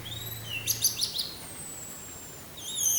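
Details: Orange-headed thrush singing 'teler' alongside wind sound: a rising whistle, a quick burst of high notes, a long gliding whistle, then a fresh high phrase at the end.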